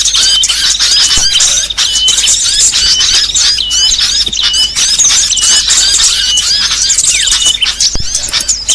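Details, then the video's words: Lure recording used in trapping to attract many kinds of small birds, such as sogon, konin, red-headed prenjak, iora and mantenan jati: dense overlapping high chirps, twitters and short whistled notes, with a steady thin whistle repeating throughout. "Suara paling ampuh pikat segala jenis burung kecil"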